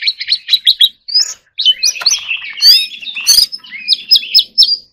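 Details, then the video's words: Competition-singing white-rumped shama delivering fast repeated chip notes, then swooping whistled phrases and a harsh burst, followed by short ringing whistles separated by brief gaps. "choè than hót líu || Kacer Gacor"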